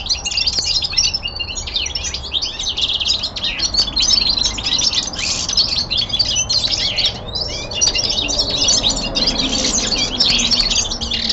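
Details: Indoor song of a young male common linnet: a long, busy stream of chattering twitters, short trills and bright whistled phrases, with one brief pause near the middle before the rapid medley resumes.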